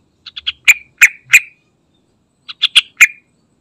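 Yellow-vented Bulbul giving two quick bursts of bubbly, chattering notes, each a run of five or six liquid chirps, with a short pause between.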